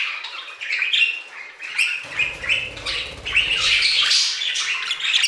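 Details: Continuous warbling chatter from aviary budgerigars, many overlapping chirps, squeaks and buzzy notes running without pause, with a low rumbling or fluttering sound in the middle.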